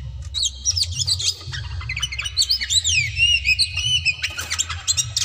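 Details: Oriental magpie-robin, kacer daput, singing hard to provoke rivals to fight: a rich run of whistled, swooping notes between high chirps and buzzy bursts, with steady low hum underneath.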